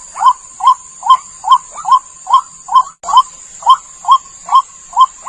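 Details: White-breasted waterhen lure call: quick repeated short notes, a little over two per second, steady in pitch, with one short cut partway and a continuous thin high tone in the background.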